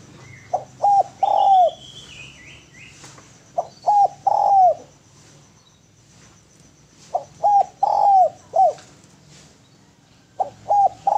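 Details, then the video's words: A Spotted Dove coos in low phrases, two short notes then a longer rolling coo, repeated every few seconds, with a faint high whistle and a steady insect-like hiss behind. "SUARA DERKUKU GACOR SUARA MERDU BERSIH MEWAH"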